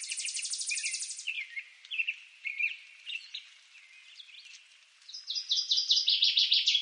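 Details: Northern waterthrush (Parkesia noveboracensis) singing in eastern North America: loud, rapid, ringing chip notes speeding into an emphatic run, with softer chirps from other birds between.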